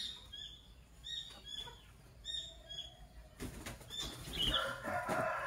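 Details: Fischer's lovebirds, a parblue violet and a pastel green opaline, chirping in the morning: bursts of short, high, squeaky chirps, then loud wing flapping and rustling with a few sharp notes over it.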